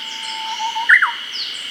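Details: Close Japanese bush warbler song phrase, Hokkaido forest in early summer: a soft, steady low whistle leading into a bright, loud two-part flourish that rises then drops. Steady high drone and a faint chirp in the background.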